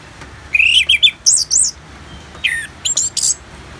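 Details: Orange-headed thrush therapy recording with rain: two bursts of sharp, varied whistled and chirping notes, quick rising and falling slurs in rapid series, separated by a quiet pause with soft background hiss.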